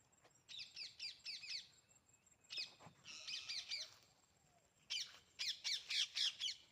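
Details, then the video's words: Parrot calls in bursts of rapid, sharp chirps at high pitch, grouped into runs of four to five notes with short pauses between bursts; a steady high hum runs underneath. "parrot sounds"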